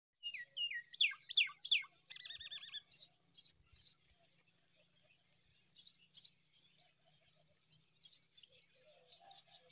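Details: Five myna chicks begging while an adult feeds them date fruit: loud rising, squeaky chirps at first, then a fast run of harsh, buzzy high-pitched bursts repeated several times per second, gradually fading.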